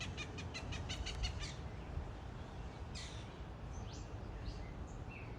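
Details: Backyard blue jay, a regular peanut-fed visitor chatting at the person feeding it, gives a quick run of about nine dry clicking notes, then a harsh rasp and a few short high squeaks over steady low rumble.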